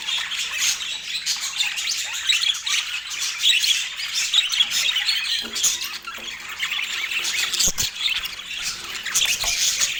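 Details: Budgerigars, several birds chattering together: a dense, continuous mass of scratchy squawks and rapid chirps, high-pitched and busy throughout, with a few brief lower clicks and knocks in the background.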